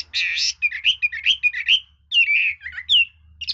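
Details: Red-whiskered bulbul, praised as an excellent songster that switches its voice, giving a varied song of short warbled and whistled phrases, some sliding downward, with brief pauses; a low hum underneath.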